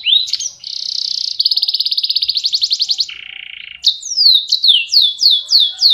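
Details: Canary in full, loud song: a rising whistle, then rapid buzzy trills at steady pitch, a lower rattling trill, and a closing series of bright, falling whistled sweeps repeated about twice a second. No other sounds.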